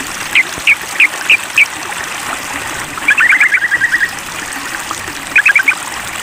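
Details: Sooty-headed bulbul calling out to a rival: five spaced, clipped notes, then a fast run of chattering notes, then a final short burst, over a constant background hiss.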